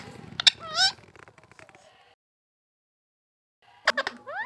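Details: Pet parrot imitating human speech: sharp clicks and a rising, wavering harmonic syllable, a trail of softer chatter, a silent gap, then more clicks and a final upward-swept whistled note.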